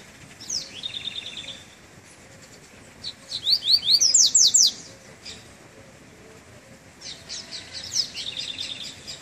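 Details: Double-collared seedeater just coming out of moult, singing on its first outing in cold weather: three bursts of high, bright, rapid chirps and sweeping slurred notes, separated by pauses, over faint background hiss.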